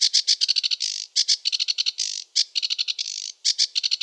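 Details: Sedge warbler (Acrocephalus schoenobaenus) of wetlands singing a rushed, chattering song: fast runs of dry clicking notes broken by longer buzzy rasping phrases, in varied random order.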